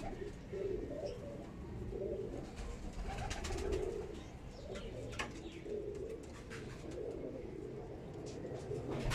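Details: Imam Deen pigeons, a rare old breed, give low, soft rolling coos repeated about every second, overlapping one another, with a steady low hum and scattered clicks behind.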